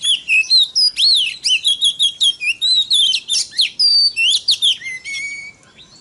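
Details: Oriental magpie-robin singing as a lure meant to provoke other magpie-robins into singing: a rapid, varied run of clear whistled notes, slurred up and down, in quick bursts, ending with a long low whistle and a fading note.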